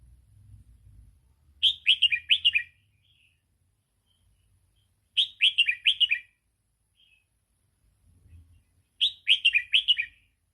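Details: Red-whiskered bulbul, 'sai ble' song used to train young birds: three lively phrases of rapid, bouncing, downward-slurred notes, repeated about every three and a half seconds, with a faint low rumble in the background.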